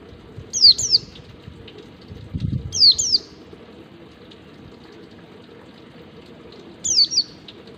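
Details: Wild-type white-eye song used to train captive birds: three spaced bursts of two high, thin, falling chirps each, fainter than a low rushing, water-like background noise.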